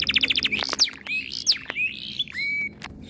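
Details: Canary in breeding condition, agitated by other birds' sounds, gives a fast string of high notes, then sliding whistles and a sustained flat whistled tone, with short sharp clicks between phrases.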